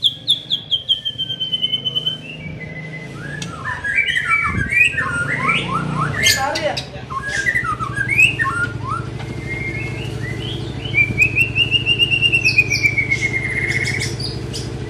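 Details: White-rumped shama, a young bird being trained, starting with a long descending whistle, then a busy burst of mixed chattering notes, ending in a long wavering whistled phrase; low background hum throughout.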